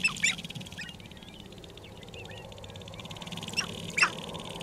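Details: Sharp-tailed grouse calling at a spring lek near Regina, Saskatchewan, Canada, 14 April 2012: short sharp clucks in a quick pair at the start, then fainter single notes and a loud cluck near the end, over constant high hiss.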